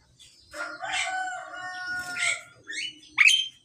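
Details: Male and female Pied Mynas during pairing give harsh, noisy bursts mixed with long, level harmonic whistles, ending in a sharp rising squawk.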